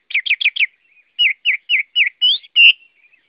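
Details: Chinese hwamei repeating a quick four-note burst, then a series of evenly spaced, descending whistled notes. It ends with a rising whistle and a loud level one.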